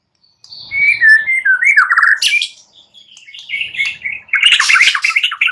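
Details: White-rumped shama singing in the morning, used as a lure to prompt silent birds to sing: rich warbled whistles sliding down in steps, then a harsh burst and a bright, chattering high phrase.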